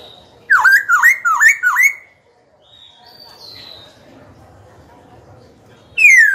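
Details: Training and challenge song of a Black-throated laughingthrush, used to stir rivals and teach young birds. Four rolling dip-and-rise whistles, a soft high tone in the quiet middle, then a loud falling whistle closing.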